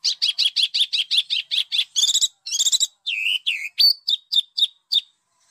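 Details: Harsh tutoring song for pet and competition birds: a fast even series of buzzy chirps, raspy trills, two descending slurs, then short high sharp notes.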